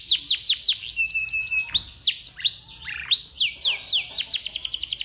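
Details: Canary in full, continuous song, meant to set other canaries singing: fast runs of high downslurred notes, a long steady whistle, and rapid trills, all very high-pitched.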